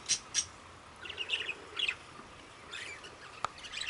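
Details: Budgerigars in an aviary: a few short bright chirps early on, then softer warbling twitters and a sharp click, with scattered chatter toward the end.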